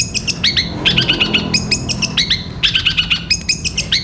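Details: Song of a long-tailed shrike, for training caged birds: quick runs of bright, clipped whistles repeated in short groups, some with rapid trilled series, and a low droning background.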